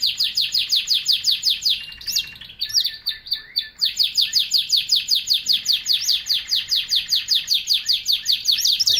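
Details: A canary delivers a long, steady series of rapid repeated high chirps, about two to three per second, with a short varied passage early on.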